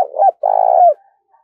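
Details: Caged decoy spotted dove calling to attract wild doves: low, mellow coos, with a short wavering note running into a long sustained coo that falls away at its close.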